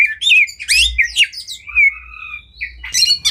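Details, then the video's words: Caged white-rumped shama pouring out a dense training song full of varied phrases: rapid chattering, squawky and twisting notes in quick succession, a long level whistle, lower soft notes, then a burst of harsh high notes at the end. "Masteran Burung Kacer Full Isian Tembakan Juara"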